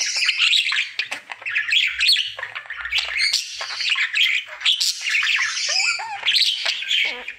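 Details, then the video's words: Budgerigar kept as a pet, a male performing his daily singing routine: a near-continuous stream of rapid chatter, clicks, squeaks and bright rising whistles, lively and unbroken for the whole stretch. "Budgie singing for 1 Hour Happy song!"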